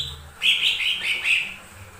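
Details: Lesser green leafbird song played to provoke other birds to sing: one continuous warbled, whistled phrase lasting about a second, wavering up and down at a high pitch.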